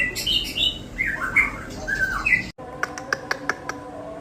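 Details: White-rumped shama song carrying cililin, jenggot and kapas tembak material: varied warbled whistles and squeaky notes, followed after a brief break by a string of sharp, evenly spaced clicking ticks.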